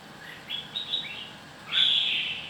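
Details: Red-whiskered bulbul giving a few quick chirped notes, then a louder, sustained warbled phrase near the end.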